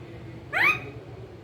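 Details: Pet green ringneck parakeet: one loud, rising, shrill call lasting under half a second, with quiet room hum before and after.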